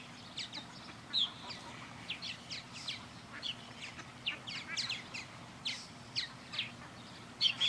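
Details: Purple martins circling a backyard birdhouse under a blue sky give many short chirps and rising notes. The calls overlap steadily from several birds, with a faint low background hum.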